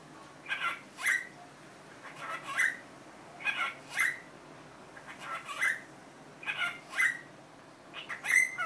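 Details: Cockatiel kept as a pet, having learned Korean 'annyeong', utters a run of paired chirpy syllables, each pair a quick lead-in then a stronger whistled note, recurring every second or so over a quiet background.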